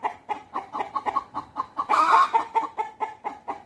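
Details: A rooster and hens communicating at a natural history museum in Deokso: steady, rhythmic clucks about five per second, broken midway by a louder, harsher squawk, then the even clucking resumes.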